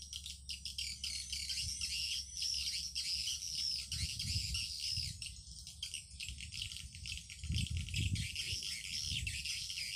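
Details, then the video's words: Lure recording of swiftlets played over an amplifier to attract the birds: continuous dense, high, scratchy twittering with rapid chirps, some low thumping bursts underneath and a constant low hum. "Suara panggil PJW"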